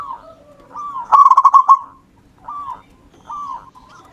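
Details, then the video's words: Local wild-type zebra dove in full song, used as a lure: soft arched coos, then a loud rapid stuttering burst of about eight pulsed notes, followed by more gentle rising-falling coos. "perkutut lokal alam. Gacor"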